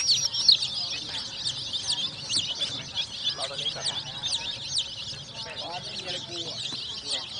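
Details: A crowd of colourful chicks peeping nonstop, thin high wavering whistles packed closely together, with a few lower murmurs underneath.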